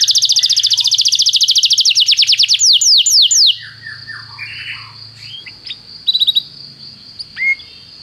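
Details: Canary song used as a tutor recording for training young canaries: a fast, loud trill of rapid high, down-slurred notes for about three and a half seconds, then softer scattered chirps and a long thin whistle.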